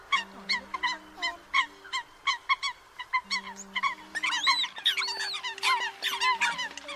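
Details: Eurasian coots calling the flock, used as a lure for night net trapping of migrating birds: dense overlapping honking notes repeated rapidly, busier and louder toward the end, with steady tonal hum lines beneath.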